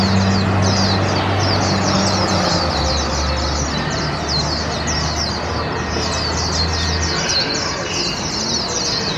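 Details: A 20-month-old hand-reared warbling white-eye in a cage on its first park walk of 2021, next to a noisy glove-puppet stage show. Quick high chirps repeat about three per second in a steady twittering stream, with low musical tones and vehicle noise behind.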